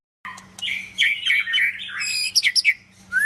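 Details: Song of a white-rumped shama from Medan: a dense, buzzy, warbling stream of high notes, then several sharp separate chips and a final rising whistle, with a low hum in the background.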